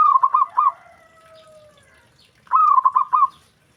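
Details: Zebra dove call said to draw instant replies from other doves: a rapid cooing phrase, a gliding faint tone, then a second bubbling series of five or six coo notes.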